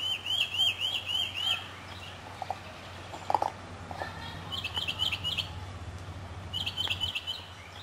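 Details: Northern mockingbird in a South Carolina city neighbourhood, spring 2008, singing a rapid series of repeated chirpy phrases; fainter birds sing in the background while a low droning hum continues throughout.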